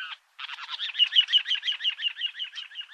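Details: Little ringed plover during mating, egg-laying and incubation: after a short note and a brief gap comes a fast, continuous rolling rattle of buzzy pulses, about six per second, lasting nearly three seconds.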